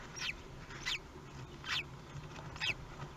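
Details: At a kestrel nest on the day of the first hatching, 23 May 2020, Théding: four short, thin descending squeaks come in quick, slightly irregular succession against constant low background hum.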